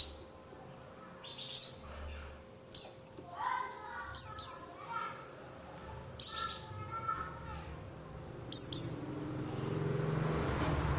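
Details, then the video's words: Oriental white-eye lure recording meant to provoke other white-eyes into singing: sharp, high, descending chirps, often doubled, repeated every one to two seconds, with soft lower twitters between them over a faint hum. "pancingan suara untuk pleci agar mau kluar isian"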